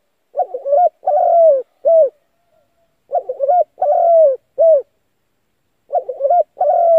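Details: Spotted dove call played as a lure for trapping to set decoy doves cooing. Mellow three-note phrases repeat roughly every 2.8 seconds: a quavering opener, a long sliding coo, then a short closing hoot. The third phrase is cut off.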